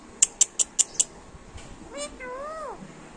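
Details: A pet talking parrot, a female Alexandrine parakeet mimicking speech, follows five quick sharp clicks with a short voice-like phrase that rises and falls in an arch.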